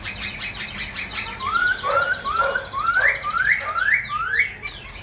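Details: Tame caged Silver-eared laughingthrush singing while dancing with wings and fanned tail: a series of about six clear rising whistled notes, each a quick upward slur, over a buzzy, harmonic background chatter.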